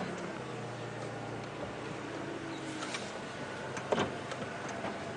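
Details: Idling vehicle hum and mechanical clicks, with a brief knock and no animal calls.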